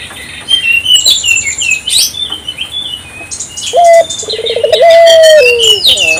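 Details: Busy high chirping and twittering of small birds fills the first seconds, then a vigorously calling African collared dove, meant to draw local doves into calling, gives one phrase: a short note, rolling trill and long falling coo.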